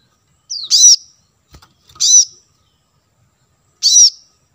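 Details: High, bright chirps from a plain-throated sunbird used to attract wild birds. A thin downslur leads into the first chirp, two more follow over about three seconds, and a faint soft tap sounds between them.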